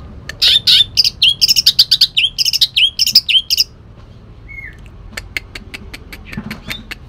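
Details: Kalimantan green leafbird (cucak ijo kalimantan), kept caged, giving harsh 'tembakan kasar' bursts mixed with mimicked shrike phrases: a dense run of loud, scratchy, repeated chirps, then quiet with scattered faint ticks.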